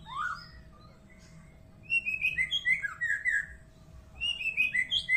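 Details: White-rumped shama, described as making a strange sound, singing varied whistled phrases. It opens with a rising note, pauses, then gives a run of sliding, bright notes in quick bursts. A steady electrical hum runs underneath.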